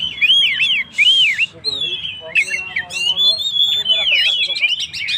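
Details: Energetic 'gacor' song of an Oriental magpie-robin (kacer), played as a lure to rouse stressed birds: repeated looping whistled notes, a brief harsh hiss, then clear sliding whistles and quick scratchy trills.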